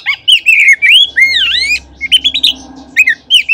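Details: Oriental magpie-robin singing in a lure recording meant to stimulate other magpie-robins. A near-continuous run of varied clear whistles includes deep V-shaped swoops and quick stuttered notes.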